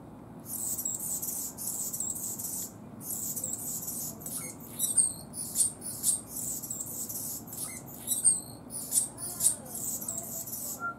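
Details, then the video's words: Anna's hummingbird singing a long run of dry, buzzy, very high-pitched phrases split by short pauses, with sharp repeated squeaks in the middle and a few faint lower whistled notes from a person. "Anna's Hummingbird Sings"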